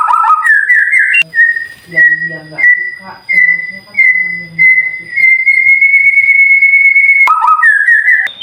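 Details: White-rumped shama tutor song meant to make silent birds answer: quick stepped whistles, then a long series of short level whistles merging into one sustained pure note. Soft low murmuring is heard beneath.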